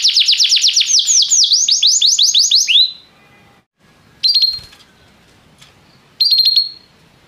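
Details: Canary singing restlessly: a loud, fast roll of repeated downward slurs lasting about three seconds, then quiet, broken by two short sharp trilled bursts.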